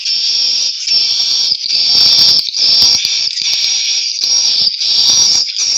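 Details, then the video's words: White-nest swiftlet twittering: a loud, unbroken, high-pitched buzzy chatter with a fine whistled edge, swelling and dipping in volume over about six seconds. "Burung walet putih"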